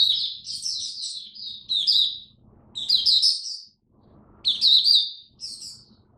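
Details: An oriental white-eye, on a diet adjusted for cold, rainy weather, recorded 8 October 2022, sings rapid, high, jumbled twittering phrases of about two seconds each, with short pauses between, over a faint low hum.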